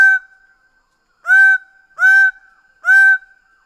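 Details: Greater bird-of-paradise giving three loud, harsh, nasal honks, each about a third of a second long, spaced roughly every three-quarters of a second after an opening note, over a steady faint background tone.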